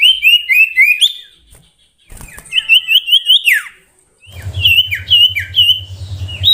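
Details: Common iora, locally sirtu or cipoh, performing whistle variations in the ocehan chatter style. Groups of quick looping whistles are separated by short silences, one ending in a steep downward sweep. A low rumbling hum runs under the final group.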